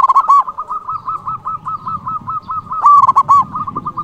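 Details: Zebra dove, local bird in eager song used as a tutor and lure for rivals: a steady chain of quick even coos runs throughout, with loud bubbling bursts at the start and near the end, over a faint low rumble.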